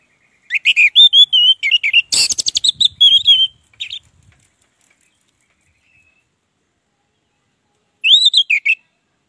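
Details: Orange-headed thrush singing in a full, energetic 'ngeplong' style, used as a lure to get silent birds singing: about three seconds of rapid whistled, warbling phrases broken by one sharp click, a pause, then a short bright burst.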